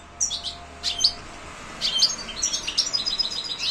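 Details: European goldfinch linked to silvestrismo, singing thin, high tinkling chirps and twittering notes over a steady background hiss and low hum.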